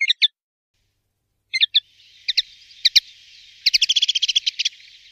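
A common linnet sings quick, bright twittering notes, short clusters at first, then a fast run of chirps near the end, with a faint hiss behind.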